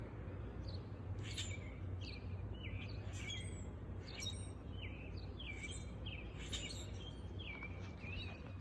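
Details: Several male grackles exhibiting and calling, giving shrill, squeaky notes with sharp upward slurs and clicks, scattered every second or so over a steady low rumble.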